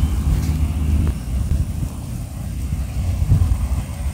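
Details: Loud low engine rumble of a passing vehicle with a few faint clicks; no animal calls.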